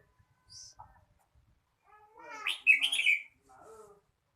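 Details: Red-whiskered bulbul delivering a rapid, loud run of slurred whistled notes after a few faint chirps, with softer calls trailing afterward.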